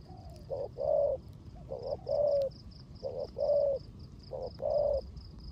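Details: Spotted dove decoy in the rain, cooing 'rước gù' style: four evenly spaced low two-part phrases, a clipped note leading into a longer rounded coo, with high rhythmic ticking throughout.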